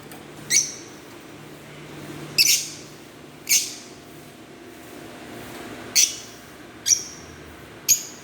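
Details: Chirping from green Fischer's lovebirds, with short piercing high notes at uneven gaps of one to two seconds and a faint low hum behind.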